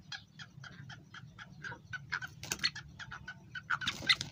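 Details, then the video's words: Black francolin male in full breeding condition calling a rapid run of harsh, grating clicks, about five a second, building to louder squawky notes over a faint low hum. "kalatitar masthogya | kalatitar fulmast hogya | کالاتیتر فل مست ہوگیا"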